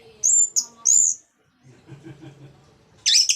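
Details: Orange-headed thrush song used as a lure for reluctant thrushes: loud, high whistled notes, a pause with low background noise, then another loud burst of whistles.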